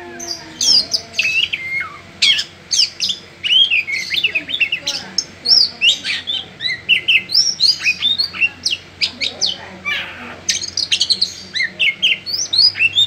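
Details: Oriental magpie-robin (kacer) singing loudly: a rapid, varied stream of high whistled and chattering phrases, sweeping notes repeated without pause, with a faint low hum underneath.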